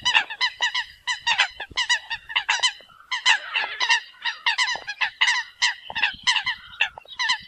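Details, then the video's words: Flock-gathering calls of Eurasian coots: continuous chorus of nasal, clipped honks from several birds, quickly repeated over the whole stretch with only a short lull near the middle. "Tiếng kêu của Chim Sâm Cầm || Chim Sâm Cầm gọi đàn"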